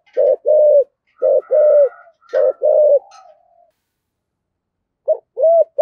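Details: Spotted dove in the deep thổ voice, calling the flock as a lure; three low two-part coos in quick succession, a faint whistle-like overtone behind them, a pause, then another coo begins.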